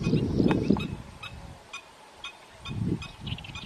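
A Garganey gives low, dry rattling bursts in two short bouts, with a faint, evenly spaced ticking in the background between them.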